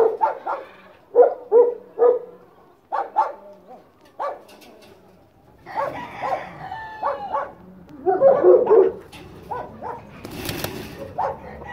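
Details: Hen calling: short harmonic squawks in quick bursts, some doubled, repeated at irregular intervals, with a louder clustered run near the end and a brief broadband rustle or knock.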